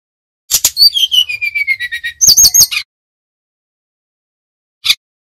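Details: Bali Brown-chested jungle flycatcher in energetic nyuling style: a clear run of whistled notes descending step by step, then rapid high rising chips, followed by silence and one lone chirp.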